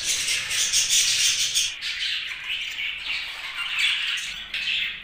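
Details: Happy budgerigar sounds, busy overlapping chirps, clicks and raspy squawks, loudest at the start, continuing as a steady high warbling chatter.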